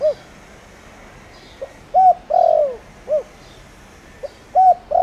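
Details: Spotted dove lure bird of the 'tho dong' voice type, calling to draw wild doves into answering. Its mellow coos run in a repeated phrase of a flat note, a long downward coo and an arched short note, with faint background chirps.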